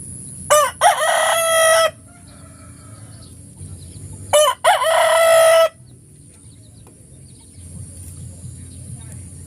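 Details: Rooster crowing in the morning: two loud harmonic crows about three seconds apart, each a short stuttered opening then a long held note dropping at the end, over quiet low background hum.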